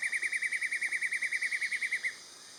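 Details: In forest at Hup Takhian, Prachuap Khiri Khan, Thailand, 2025, on an early-morning outing, a Black-and-yellow Broadbill gives a fast, even run of about nineteen bright chirping notes, roughly nine a second, ending abruptly over faint forest hiss.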